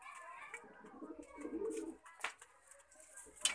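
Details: Lakha pigeon cooing indoors: a short low rolling coo in the middle of the clip, among background chatter and clatter, with sharp clicks and knocks toward the end.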